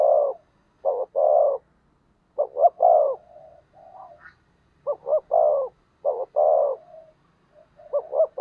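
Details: Spotted dove used as a decoy to provoke rival doves, giving low, hoarse cooing phrases in quick doubled and tripled bursts separated by short pauses, with a few softer trailing coos; no other sounds.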